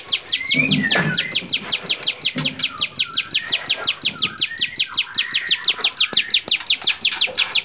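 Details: Training recording of a bar-winged prinia singing at full strength: an unbroken series of some twenty shrill downward-sweeping notes, evenly paced at about three per second, with faint whistles below.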